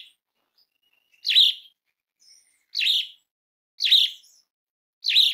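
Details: Calling Asian pied starling, used to provoke other starlings into song: single harsh, rasping chirps roughly every one to one and a half seconds, four in all, with faint thin squeaks between.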